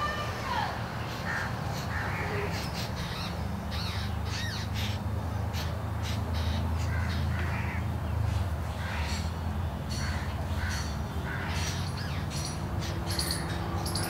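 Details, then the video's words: Jungle Babbler hatchlings, two juveniles fallen from a nest in bamboo, clamour for food as the parent feeds the bigger chick: a long, dense stream of sharp, scratchy bursts over a low rumbling hum. "Hungry and noisy Jungle Babbler hatchlings chirp for parent's attention"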